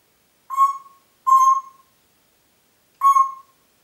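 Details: Kept Congo grey parrot whistling in Diebach near Hammelburg, Germany, April 2012: three pure level whistles, each about half a second, the first two close together, the third after a longer gap, in quiet surroundings.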